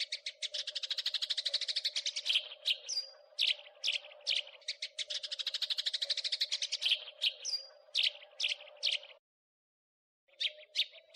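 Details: House sparrow chattering in crecetan style, as a training recording for songbirds: two long, fast rattling runs of repeated chirps, each ending in loose chirps and a thin whistle, then a pause and more chirps; a steady hum throughout.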